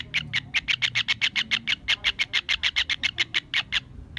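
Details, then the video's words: A kingfisher (tengkek udang/cekakak) gives a fast, even series of harsh, high chattering notes, about five each second, in a steady rattle with little background noise. "Suara burung TENGKEK UDANG/cekakak"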